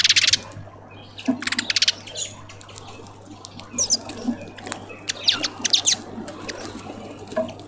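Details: A southern red bishop at a tube feeder in a suburban garden in Pretoria, South Africa, gives short, harsh, buzzy chips and sizzling chatter in irregular bursts, with a faint low hum underneath.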